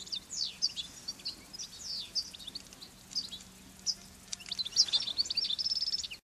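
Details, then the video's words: Wild European goldfinch singing on fennel in the Garraf Massif, Catalonia, Spain, at a spot where the birds come to feed and sing. It gives a rapid, high, tinkling twitter of short chirps, slurred notes and a buzzy trill near the end over faint low hum. "Video de un jilguero cantando en un hinojo"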